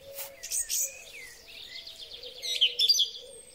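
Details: Spring song of a song thrush recorded with a Huawei P30 Pro: scratchy high notes and a soft trill, ending in a quick series of sharp repeated whistles, over a steady low hum.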